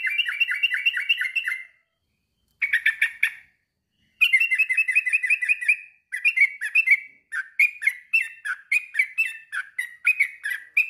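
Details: Male sooty-headed bulbul calling to challenge a rival: several quick chattering trills come first, then a looser series of sharp, separate chirps that repeat steadily and keep going to the end.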